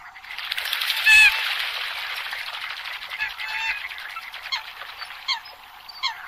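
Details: A dense chorus of Eurasian coots recorded for the 2020–2021 season: sharp, nasal honks and clipped notes overlap continuously, with a few louder single calls standing out; the sound is thin and lacks low tones.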